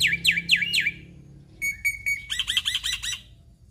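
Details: Black-winged myna singing in the vigorous 'gacor full isian' style, rich in mimicked phrases: four slurred whistled swoops, then three clear even piping notes, then a fast run of buzzy chattering notes.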